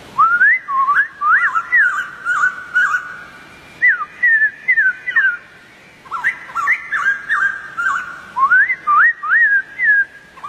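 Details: Whistled song of a wild white-crested laughingthrush: quick rising slurs and wavering notes in bursts of several, with short silences between groups and faint high clicks behind.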